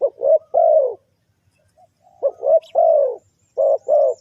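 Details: Spotted dove calling as a lure for trapping wild doves: low, hoarse, mellow coos in two bursts, about three notes then a pause of over a second, then five more coos, the longer notes slightly falling.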